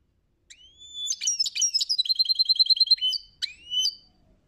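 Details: European goldfinch singing: bright, high twittering phrases, with rising whistled notes and a fast liquid trill of evenly repeated notes, then a few sharp upslurred chirps, heard against silence.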